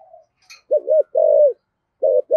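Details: Spotted dove giving 'giọng thổ' style coos: a soft low note, then a dipping double coo, a long level hollow coo and two shorter clipped coos, with a brief faint high tick in the quiet background.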